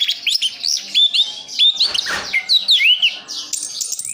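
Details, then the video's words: Orange-headed thrush kept as a cage bird in Sidoarjo, East Java, pouring out a continuous medley of bright whistles, quick upward and downward slides and scratchy chirps, with one brief rasping burst in the middle. "Anis kembang "Anti Gempa". Rooll full"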